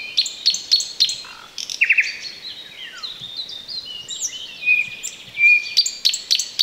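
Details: Thrush nightingale singing unseen in bushes close beside a road in the Chornobyl Exclusion Zone, 2020: a varied, loud phrase opening with sharp repeated clicks, then a run of high whistles and a few long pure notes, ending in clicks again.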